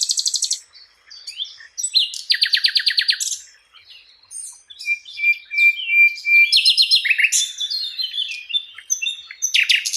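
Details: Flycatcher in a training recording for songbirds sings a long, varied, high-pitched medley: sharp chips, fast rattling trills, a stretch of steady whistled notes and a closing burst of twittering.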